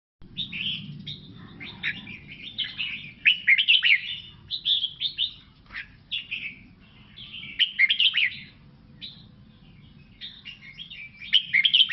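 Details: Red-whiskered bulbul of the Lao type singing: bright, liquid, warbling phrases of quick chirps and slurred whistles, delivered in bursts with short pauses, over a soft low hum.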